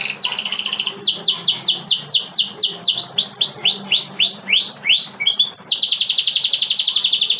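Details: Loud canary song: a quick high trill, then about fifteen evenly spaced downslurred whistles gradually lowering in pitch, a short chip, and a long, fast, ringing trill at the close.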